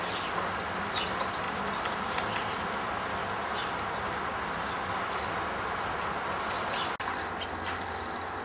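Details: A winter flock of Bohemian waxwings stripping berry trees gives high, thin trilled sirrr notes that overlap almost continuously over a steady roar of background noise.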